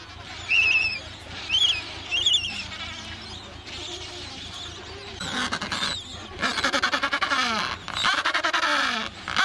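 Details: Adélie penguins, Paulet Island breeding colony, Antarctica, 1 February 2019; three clear nasal squawks, then a long series of harsh, pulsing brays repeated rapidly, over a faint low rumble.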